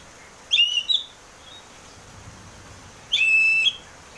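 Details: Caged-bird lure recording of an Oriental magpie-robin singing 'ngeplong' style, meant to prompt another bird to sing: a doubled sweet whistle, then after a pause a long level whistled note with a downturn.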